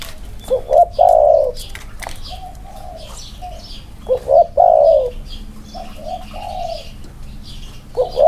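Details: Two spotted doves set side by side to compare their 'inner-circle' cooing. Repeated coo phrases come roughly every three seconds, each being short rising notes into a long falling coo, with softer answering coos between them.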